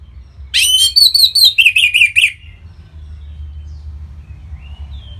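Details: Kept orange-headed thrush singing as a lure to get other birds singing: a loud burst of rich, fast chirping notes sliding downward into a run of wavering whistles, over a low steady hum.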